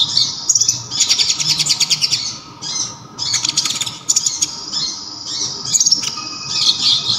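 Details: High, shrill song of a local brown-throated sunbird (kolibri ninja), known for its loud, sharp, clear voice: dense buzzy rattling trills alternate with thin warbled phrases and brief silences, all very high-pitched.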